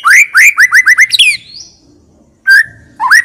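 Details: Persistent full-repertoire song of a White-rumped shama, a lure bird: a quick series of six loud upslurred whistles, a thin rising note, a pause, then a level held whistle and another upsweep.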